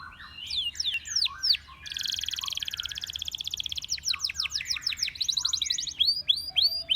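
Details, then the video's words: Canary singing: downslurred whistles, a long buzzy roll of very rapid pulses, more sharp slurred notes and another roll, with a steady low background hum. "Canary Singing Bird Sounds"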